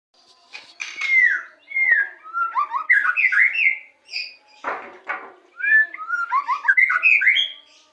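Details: White-rumped shama, Indonesia, singing a varied string of clear whistled notes, slurred up and down and grouped in quick bursts, with a brief scratchy note midway.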